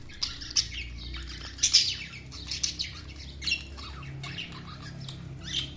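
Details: Budgies make separate bursts of scratchy chirps and short squawks, spaced irregularly over a low steady background hum.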